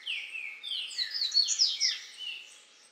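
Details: A male double-collared seedeater singing while feeding on grass seeds at Alto Caparaó, Caparaó National Park, Minas Gerais, Brazil, 9 January 2017, 09:14, with a Green-winged Saltator also singing behind: a fast, high jumble of sweet warbled and buzzy notes for about three seconds.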